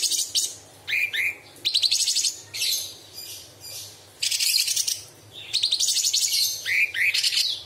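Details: Straw-headed bulbul, a caged songbird kept for masteran tutoring, singing sharp 'tembakan' bursts with imitations of small birds, large birds and insects: dense high buzzy trills alternating with short whistled upslurs, steady low hum beneath.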